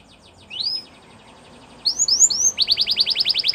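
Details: Belgian canary giving a few rising whistled notes over faint background hiss, then a quick series of repeated sharp chirps.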